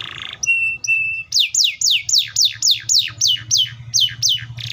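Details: Canary opening with a buzzy burst and two flat steady whistles, then a regular series of about eleven loud descending whistled sweeps, roughly three per second, ending with a buzz; faint low hum behind.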